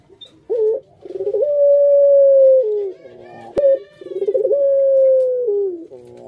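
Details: Pet puter dove kept by hobbyists, giving pelung-style coos indoors: a short rolling burst, then a long steady mid-pitched note that drops at the end, repeated twice.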